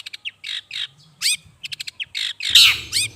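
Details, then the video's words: Long-tailed shrike lure call: a mix of scratchy squawks, quick clicks and a twanging rising note, ending in a loud harsh burst. "Suara. Pikat burung cendet ampuh"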